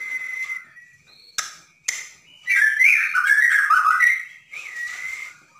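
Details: Caged white-rumped shama of Borneo singing to provoke other birds: a steady clear whistle, two sharp clicks, then a loud tumbling run of warbled, slurred notes ending on a rising whistle.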